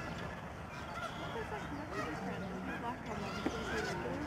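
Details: A dense flock of snow geese honks on 24 March 2011 at Delta, BC, Canada, in the Fraser River estuary. Short, nasal barking notes tumble over each other without pause against a low rumble.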